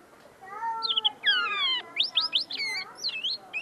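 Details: A tame caged common linnet, still refining its notes, sings right in front of the recorder: a few nasal, falling notes, then a fast run of bright, twittering chirps and trills that rise and fall quickly.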